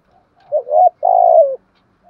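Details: Spotted dove decoy giving a single coo phrase in its thúc gù calling: short undulating note followed by a longer, slightly pulsing low coo that falls away, in quiet surroundings.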